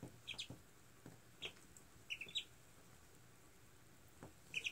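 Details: Wood ducks (Aix sponsa), recorded 4/21/20, give short, high squeaky calls in scattered pairs and small clusters over a soft background hiss.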